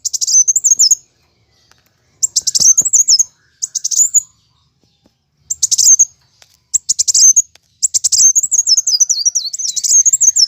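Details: Plain sunbird in fighting song: bursts of very high, rapid chirps lead into thin, wavering trilled phrases near the top of hearing, sung in spurts separated by short pauses, with a long warbling run at the end.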